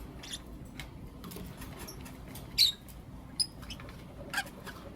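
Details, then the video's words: Lovebirds of the Blue Opaline and Lutino Opaline colour forms chirp in the morning: three sharp, high chirps spaced about a second apart, set against soft background clicks. "Lovebird Chirping Sounds and Call Sounds From Blue Opaline & Lutino Opaline"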